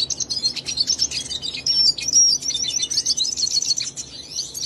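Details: Hooded siskin sings from someone's hand, pouring out fast high-pitched twitters and chattering notes with a brief clear whistled tone in the middle.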